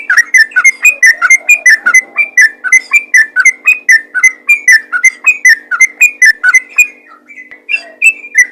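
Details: Calling Yellow-vented bulbul summoning others of its kind: steady series of whistled chirps, some rising then falling, roughly three per second, fading briefly near the end before two last notes; soft hum underneath.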